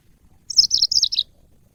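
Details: Yellow-fronted canary, used as training audio for cage birds, gives one brief phrase of five quick, high, sweet chirps, each slurring slightly downward, the whole phrase sliding lower in pitch, over faint low rumble.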